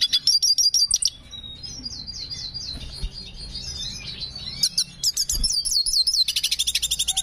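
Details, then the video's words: Black hooded siskin in breeding condition delivering a varied high-pitched song, quick chipping bursts, softer wavering warbles, then an accelerating string of repeated bright notes at the end. "Black Hooded Siskin Gacor Birahi Cengkok Unik"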